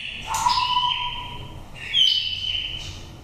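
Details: Oriental magpie-robin from Dak Lak, a nest-raised five-season bird with a wild-type voice used to lure birds. Two drawn-out whistled phrases, one including a lower held note, then a higher sliding whistle.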